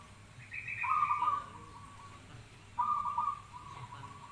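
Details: Zebra dove with two rolled, stuttering coo phrases about two seconds apart, the first preceded by a higher steady whistled note.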